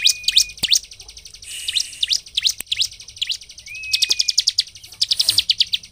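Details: Bar-winged prinia song to provoke other ciblek: scattered sharp high chirps, then a brief rising whistle and a closing burst of rapid even notes.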